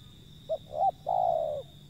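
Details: A wild zebra dove gives one phrase: a quick soft pip, a short arched note, then a sustained low coo that slowly falls in pitch. A faint steady high-pitched hum is also present.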